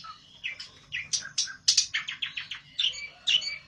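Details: Pelentet, the olive-backed tailorbird, in a raging song aimed at finding a rival: rapid sequence of sharp, high clipped notes, some dropping in pitch, pouring out steadily with brief gaps.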